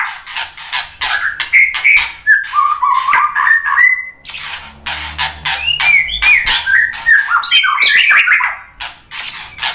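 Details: White-rumped shama song played as a lure to make other birds answer and sing: loud rapid varied phrases of slurred whistles, harsh chatters and buzzy notes, about three bursts per second, with a brief low hum midway.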